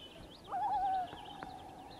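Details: Common loon in northern Ontario, one of a family defending territory against intruding loons, gives a brief wavering, quavering cry lasting about half a second. Faint high chirps of other birds sound behind it.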